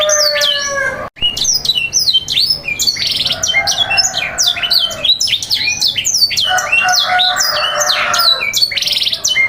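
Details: Canary 'sanger' song played to train young birds and set them singing: steady low buzzy rolls, then a brief cut, then loud, busy high chirps and descending sweeps with further rolling trills that run almost without a break.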